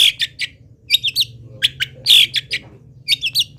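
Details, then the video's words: Vocal long-tailed shrike of local stock delivering a song packed with mimicked wild-bird calls: rapid scratchy chirps and squeaky notes in quick clusters, with a brief harsher burst midway and a soft low hum beneath. "CENDET GACOR FULL ISIAM BURUNG LIAR"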